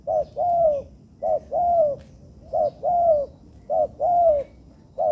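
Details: Young spotted dove in training gives even, repeated phrases: a clipped hoot followed by a long, slightly falling coo. Five rounds are heard at a steady pace, and the sound is clean.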